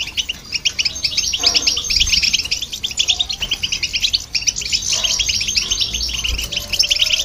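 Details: European goldfinch in song with a hybrid bird, meant to stimulate other birds; quick tinkling trills and chirps pour out steadily, sometimes slightly denser, with only brief pauses.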